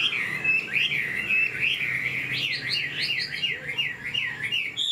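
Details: Caged Chinese Hwamei in fresh new plumage, fanned tail, flicking its tail while singing: a rich run of loud looping whistles, slurred up and down and repeated rapidly, over a faint low indoor hum.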